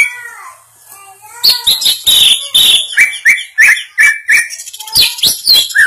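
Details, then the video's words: Greater green leafbird in training, caged, delivering a lively song of sharp clicking notes mixed with bright whistled slurs, repeated quickly about three per second, with short high squeaky phrases near the end. "Melatih cucak ijo"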